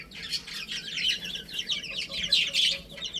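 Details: Baby hens cheeping busily at play, a constant run of high, quick chirps from a small group, slightly louder in the second half.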